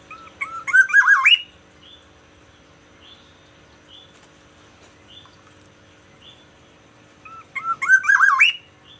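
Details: Caged Black-naped oriole from Aceh in the morning: two loud fluty whistled phrases about seven seconds apart, each looping and rising, with faint short high notes from other birds between them.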